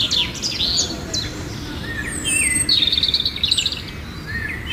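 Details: Myna giving a lively mix of whistled and chattering notes, with short rising and falling sweeps and buzzy trills in bursts, over a steady low rumble of background noise.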